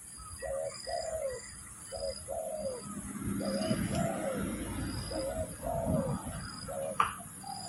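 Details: Spotted dove cooing to lure birds for trapping, a series of paired hollow notes with the second longer and falling, over rumbling low background noise, a steady high hum and a sharp click near the end.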